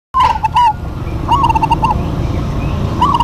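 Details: Local zebra doves singing in a duet: bright, rolling cooing phrases with quick looping notes, three bursts in just over three seconds, over a steady low rumble.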